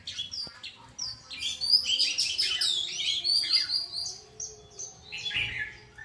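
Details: Bird twittering continuously in a high register, with fast chirps and short whistled slides running together into a bubbling song, over a faint low hum.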